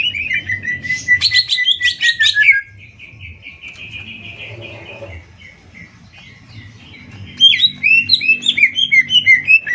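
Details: Singing contest between greater green leafbirds from Banyuwangi and Kalimantan: fluid whistled phrases and a long rapid trill, then a quieter lull with faint murmuring before bright, bouncing whistles resume.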